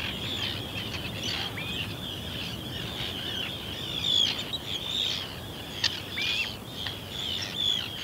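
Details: Common ringed plovers calling at the Ythan Estuary give soft, high, upslurred piping notes, several overlapping in quick succession, over a steady background hiss of wind and distant surf.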